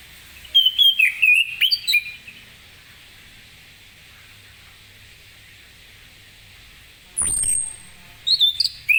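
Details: Orange-headed thrush singing ngeplong style in the morning to prompt other birds: a quick run of loud whistled phrases over constant hiss, a long pause, a sharp falling note, then further whistles.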